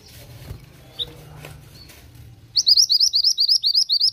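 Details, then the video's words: Oriental magpie-robin in full song: after faint background murmur, a rapid run of about eleven sharp, rising whistled notes repeated in even rhythm until the end. "BURUNG MANTENAN GACOR!"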